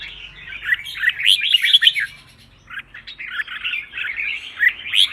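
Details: Red-whiskered bulbul contest song used for training birds to sing, a dense run of warbled, liquid whistled notes. One phrase lasts about two seconds, a short pause follows, then a second chattering burst of rapid notes.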